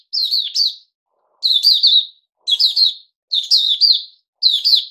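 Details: Bulbul called Puteh Raja by its keeper, a cage bird on a fruit juice and mealworm supplement regime, gives five lively chattering phrases. Each is a quick run of clear, slurred notes with short silent gaps between.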